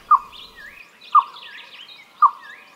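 Green Barbet male singing: three low, hollow 'kow' notes, almost like a dog's bark, spaced about a second apart, with faint higher twittering from other birds behind.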